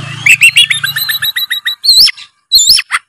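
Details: Oriental magpie-robin (kacer) singing in the gacor full narung style, used to get a quiet bird singing: a fast run of short, evenly spaced chirps, then bright rising whistles with pauses, and a low hum at the start.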